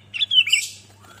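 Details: Single brief phrase from a sooty-headed bulbul in full song, meant to get other bulbuls singing: a rapid liquid run of whistled notes lasting under a second, ending in a softer fading tail.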